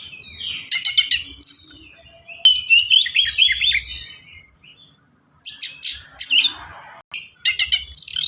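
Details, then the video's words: Oriental magpie-robin, locally kacer, in rapid energetic song with unique fill-in phrases and sharp shots: stuttering chip series, twisting whistles and scratchy bursts tumbling one after another, with a short silence midway. "KACER GACOR SPEED RAPAT FULL ISIAN"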